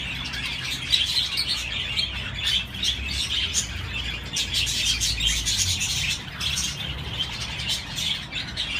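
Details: Budgerigars twittering nonstop, high chattering chirps and raspy warbled phrases layered from many birds, volume rising and dipping, low hum beneath.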